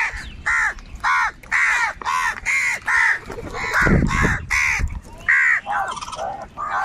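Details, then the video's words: Crows squabbling over food call in a steady run of loud, harsh caws, roughly one or two per second, with a short low rumble near the middle. "কাকের ডাক Crow Sounds - Crow bird live Crowing Sounds"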